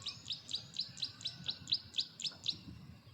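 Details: Male Carolina wren singing boldly from a perch in a yard, a loud territorial song: a quick run of high, sharp repeated notes, about three to four per second, nine or ten in a row, over a quiet background.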